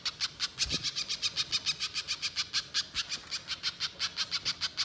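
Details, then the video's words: Energetic pijantung (spiderhunter) delivering its long 'nyerecet' chatter for luring wild birds: a steady stream of sharp, scratchy high notes, roughly five a second, with one brief low thump near the start. "Masteran Pijantung Gacor Nyerecet Panjang Untuk Suara Pikat Di Alam Liar"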